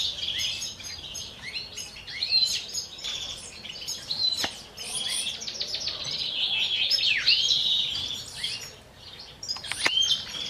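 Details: Common chaffinches kept in captivity, courting during the 2023 breeding season, a male shared by two females; dense, rapid twittering and chirping phrases, with a few sharp clicks standing out.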